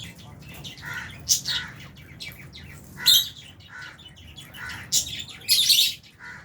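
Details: Flock of lovebirds, albino and Fisher's, feeding in an aviary alongside budgie parrots; bright, high chirps come in quick clusters, with a louder shrill burst near the end and a steady low rumble underneath.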